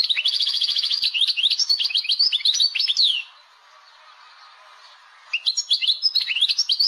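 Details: European goldfinch from Algeria, a caged songbird, delivering a quick twittering phrase that opens with a rapid repeated trill and ends in a downward slur, then a pause of about two seconds before the twittering resumes.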